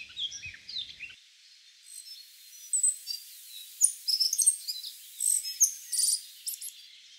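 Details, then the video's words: A tui in New Zealand, feeding on Protea, red kakabeak and Grevillea flowers, sings a high, varied string of clear whistles, sharp clicks and buzzy, crackling bursts in irregular phrases over quiet background hiss. "Tui Bird Singing"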